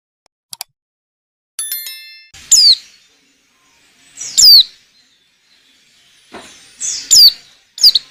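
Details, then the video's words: Female white-eye calling, used as a lure for other white-eyes: sparse, thin, high downslurred whistles spaced a second or more apart, with a few faint clicks between them. "Burung pleci betina lenjeh manja pemikat burung pleci"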